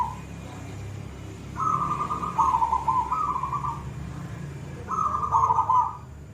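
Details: A silver zebra dove sings eagerly in the koong voice, giving a long phrase of staccato coos that melt into a rolling trill, then a shorter repeat about three seconds later. A low background murmur is present.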